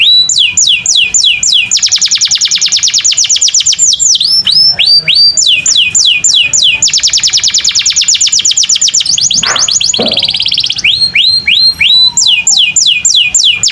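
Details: Canary (kenari) singing in a master recording for training other canaries: long rapid rolls of repeated high sweeping notes alternating with slower looping phrases, loud and steady, with constant low background noise.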